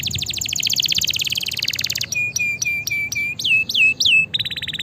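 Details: Lively canary song for masteran and prompting silent canaries: a rapid rattling high trill, then a sequence of clear repeated notes dipping and rising, ending with a buzzy steady phrase.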